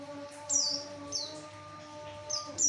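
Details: Javan white-eye song for luring males: a few sharp, high notes dropping in pitch, heard at intervals over a constant low humming drone.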